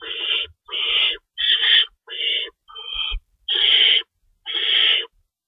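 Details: Owls at the nest during 3:53 AM feeding, 25 March 2012; seven harsh, noisy screeches, each around half a second, separated by short pauses, with a light thud in the middle.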